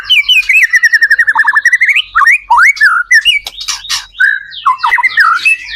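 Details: White-rumped shama lure song meant to get other shamas calling back: a fast rhythmic trill of repeated notes, then looping whistles and scattered sharp accents.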